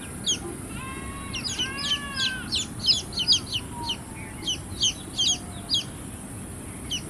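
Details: A brood of baby chicks peeping: sharp high chirps in loose clusters, mixed with several longer, soft level whistles early on, over steady hiss.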